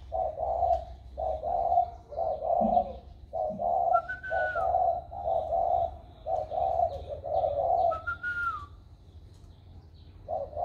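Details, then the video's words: Spotted dove newly showing a warm voice, 16 February 2020: regular deep coo notes repeated roughly once per second over several phrases, with two short sliding whistles and faint high chirps, then a quiet stretch. "Cu gáy mới nổi giọng ẤM"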